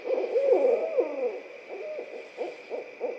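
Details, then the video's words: A pair of barred owls calling "laughing" calls to each other near Suwannee River State Park, Florida: a wild, cackling duet of wavering hoots, then a few quicker hoots trailing off, over a steady hum. "Barred owls laughing"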